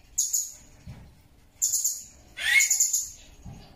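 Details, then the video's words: Blue-crowned hanging parrot, used as a tutor recording for songbirds: two short piercing high trills and then a longer, harsher, buzzier chattering note sweeping down in pitch. "MASTERAN SUARA BURUNG SERINDIT"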